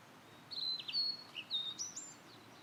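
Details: Blue-and-white flycatcher song from rural satoyama woodland: a quick phrase of clear, high whistled notes, some sliding and some flat, rising to sharp upper notes at the end, against soft background hiss.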